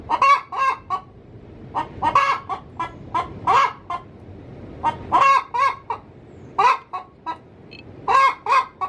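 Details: Cackle of a domestic hen in the coop just before egg-laying, used to attract wild junglefowl males; loud, nasal clucks tumbling out in irregular clusters, some drawn-out squawks among shorter notes, throughout.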